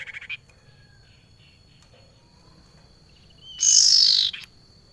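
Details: A female barn owl calls to a male and gives one harsh, hissing screech lasting under a second. A brief raspy burst comes first, over a thin steady high whine.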